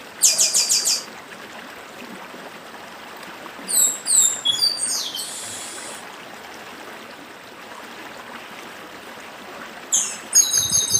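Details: Dedim song of a Northeastern papa-arroz, with stream sounds behind: a high stuttering trill, then a cluster of sharp descending whistles and a buzz, a long pause, then another bright trill.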